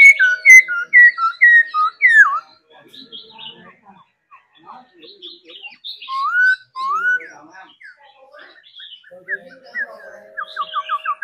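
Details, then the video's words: A trained laughingthrush sings loud whistled slurs at the start, then quieter varied whistles and rising notes, ending with a quick series of short descending whistles. "Khứu hót múa đẳng cấp. Luyện chim hót múa mỗi ngày"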